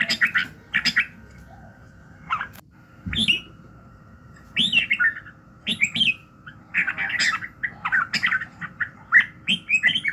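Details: Red-whiskered bulbul in morning song, used to train and excite other birds: clusters of bright, chirpy warbled notes separated by short gaps of one to two seconds, with a soft background hum.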